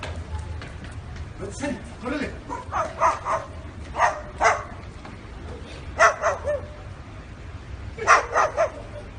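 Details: Dog barking imitated by a parrot: groups of two to four quick, harsh bark-like bursts every couple of seconds, with some softer chatter between.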